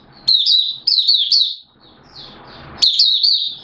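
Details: Oriental white-eye, Malaysian mata puteh, singing buka sing in Singapore, 29 March 2023, during warm, humid weather with sudden showers. High, sweet chittering phrases break off midway for a soft, hissy gap, then a bright burst resumes.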